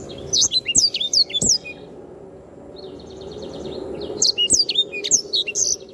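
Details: Canary in lively song, recorded for tutoring cage birds: two bursts of piercing, sweeping whistles separated by a pause with faint rattling notes and steady background hum.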